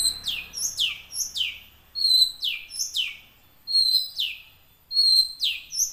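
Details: Young wild long-tailed shrike song played to coax caged birds into singing; loud descending scratchy notes in quick runs, interspersed with clear higher whistled phrases, in a quiet setting.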